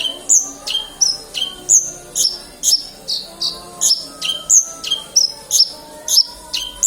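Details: Black-winged myna singing steadily, alternating piercing high whistles with lower squeaky notes roughly twice a second, a soft hum running underneath.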